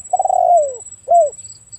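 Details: Spotted dove: a long coo that starts level then slides downward, followed by a short arched coo, clear and close, with a faint continuous high-pitched tone behind.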